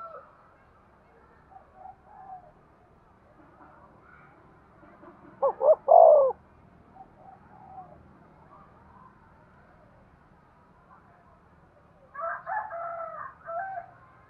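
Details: Spotted dove giving a single coo phrase to stimulate breeding: two clipped notes and a longer, lower, drawn-out note. Faint background chirping, and a softer harmonic call near the end.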